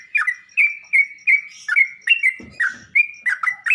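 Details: Sooty-headed bulbul played as training audio so other birds respond: quick chattering phrases of bright slurred notes, fairly steady, with a short low rustle midway.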